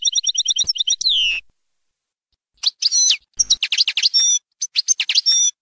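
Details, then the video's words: European goldfinch singing Baynam Ghazarat song for teaching young birds; a fast repeated trill and descending slur, a pause, then varied high twittered and buzzy phrases. "غناء حسون باينام غازرات لتعليم الفراخ"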